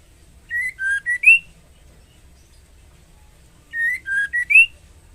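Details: Female White-rumped shama calling a male while in breeding condition: two phrases of four clear whistles, a level start, a lower dip, a short note and an upslurred finish, separated by about three seconds of quiet.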